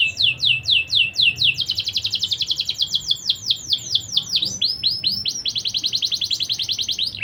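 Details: Young canary's rapid song of fast, repeated downward-sweeping notes, about five per second, shifting between trilled sections of slightly different pitch, continuous and bright throughout.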